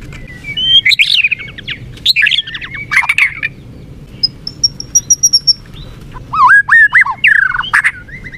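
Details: White-rumped shama (murai batu) song played to provoke a listless caged bird into fighting: harsh chattering bursts, a thin, very high series of evenly spaced pips, then swooping whistled notes.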